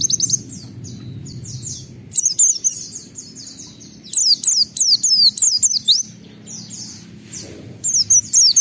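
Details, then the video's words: Oriental white-eye song used to provoke other white-eyes into singing: thin, high twittering runs of quick downslurred notes, with a quieter stretch followed by loud bursts of chirps from the second second onward. "Pleci Gacor MUNTAHKAN Isian Memancing Semua Pleci Ikut Gacor Bongkar Materi"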